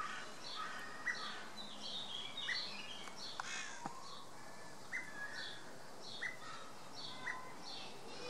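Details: Common blackbird (Turdus merula) giving short, sharp chirped calls every one to two seconds, with higher twittering from other small birds, a few clicks and steady background hiss.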